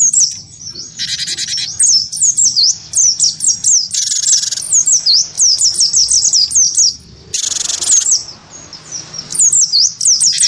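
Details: Great tit of the wingko type, singing eagerly while provoked into fighting sounds against a white-eye: rapid series of high, sharp down-slurred whistled notes, broken twice by harsh, broad rasping bursts.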